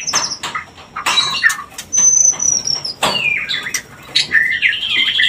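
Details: White-rumped shama singing to stimulate mating: sharp clicks and short bursts, then a long thin high whistle and descending slurred notes, broken by brief gaps.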